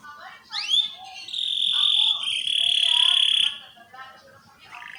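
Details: Canary song played to train young canaries: an upslurred whistle followed by a long, steady, piercing buzzy tone held for about two seconds, with softer warbling in the background.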